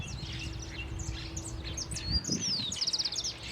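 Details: Sooty-fronted Spinetail (Synallaxis frontalis), a small gray-fronted furnariid of jungle, forest, savanna and groves with bushes in central South America, calling hidden in thickets: quick, high, scratchy chirps and short chattered notes in overlapping bursts over a steady low hum.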